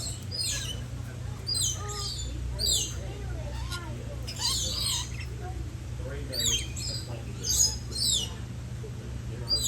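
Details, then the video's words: Green-naped lorikeets give shrill, screechy chattering calls in quick bursts every second or so, over a steady low hum and faint voices. "GREEN-NAPED LORIKEET PARROT"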